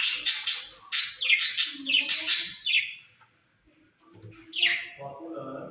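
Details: Two rose-ringed parakeets kept in a cage chatter to each other: a series of harsh rasping bursts with descending scratchy notes, a short silence, then a softer squeak and low murmurs.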